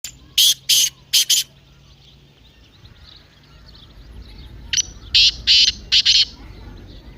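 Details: Partridge calling, played to get a kept partridge to call: two bursts of harsh, loud, buzzy notes, a triple group early then a longer run of four to five notes after a quiet gap, with faint low hum and rustle.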